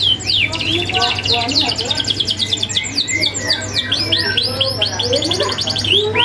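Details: Canary in full song, recorded as a master for young canaries: dense, high trills and quick rising-falling whistles pour out without pause, some notes dropping lower, steady hum in the background.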